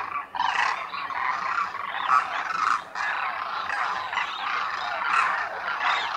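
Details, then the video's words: Demoiselle Cranes migrated over the Himalayas to winter at Khichan, Rajasthan, India, calling at the lake; a thick chorus of harsh, purring rattles that starts after a brief pause and continues almost unbroken. "DEMOISELLE CRANES of KHICHAN at the lake in THAR Desert | RAJASTHAN 🇮🇳 INDIA | BIRD sounds | KOONJ"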